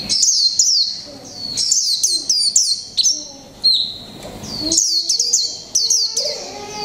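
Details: Caged Japanese white-eye, a 'mộc tinh' bird one month in the cage, singing in the 'líu pha chòe trống' style: bursts of high, quick downslurred chirps, some run together, split by brief silent gaps.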